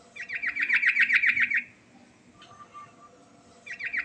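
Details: Sooty-headed bulbul singing a rolling song with fill-in phrases: a fast, even run of repeated chirping notes lasting about one and a half seconds, a pause with faint background tones, then the same quick roll starting again.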